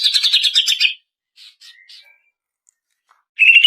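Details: Female greater green leafbird, audio meant to coax cage birds into singing: a fast buzzy trill lasting about a second, a few soft scattered notes, then the trill starts again.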